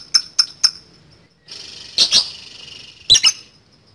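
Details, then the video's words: Chattering lovebird kept as a songbird, used to provoke rivals into answering: three short sharp chirps, a pause, then buzzy rasping notes and a double squawk, all high-pitched. "LAWAN PASTI LANGUNG NYAUT PANCINGAN LOVE BIRD CEREWET NGEKEK PANJANG"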